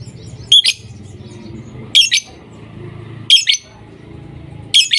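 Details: Lovebirds calling: shrill paired chirps repeated regularly about every 1.4 seconds, with a low steady hum underneath.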